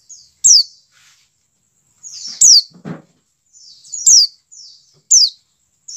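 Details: Dakun white-eye call played so captive white-eyes begin singing: steeply falling high-pitched notes alternating with buzzy chattering phrases, plus a short low thump near the middle.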